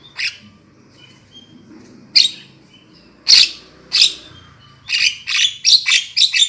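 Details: Javan myna lure call used to attract birds for trapping: scattered harsh, buzzy bursts, sparse at first, then a quick run of rasping notes near the end.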